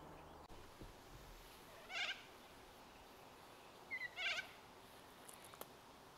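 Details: Australian magpie (Gymnorhina tibicen) at Jerrabomberra Wetlands, Canberra, on 26 November 2022, gives short, rich, bubbly, throaty warbling calls, once and then twice about two seconds later, over a quiet background.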